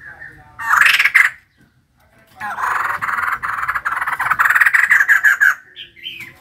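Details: Energetic singing from a female white-crested laughingthrush, with a short raspy burst followed by a long, dense stream of rapid harsh chattering notes lasting several seconds.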